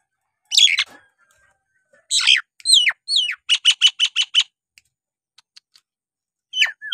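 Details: Nias hill myna (Gracula robusta) in full song, used to stimulate lazy Nias mynas into singing: loud, varied whistles and harsh squawks, a fast run of six bright repeated notes, and sharp downslurred whistles between bursts.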